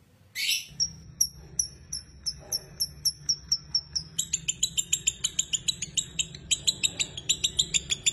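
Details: Lovebird fighter song in the ngekek style, played as a lure so other lovebirds sing long: after a harsh opening squawk, sharp high chirps repeat about every third of a second, then speed up into dense doubled chatter.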